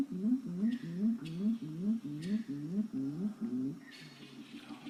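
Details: Grey-winged trumpeter, known locally as Waracambra, giving its normal contact call that keeps the flock together and tells where each bird is: a run of low, deep, humming hoots with rising-falling inflections, about two or three per second.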